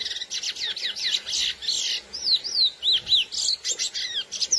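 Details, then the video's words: A chestnut-bellied seed finch (curió, Sporophila angolensis) sings its classic song to excite females, a rich, fast run of whistled notes, sliding and slurred, with quick twittering phrases in between. "CURIÓ CANTO CLASSÍCO FOGUEAR FÊMEAS"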